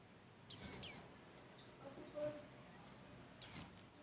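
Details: Pleci Bustomi white-eye in full song, a recording to coax other birds to sing. A pair of piercing downslurred chirps, a soft murmur of lower twitters, then one more high falling note.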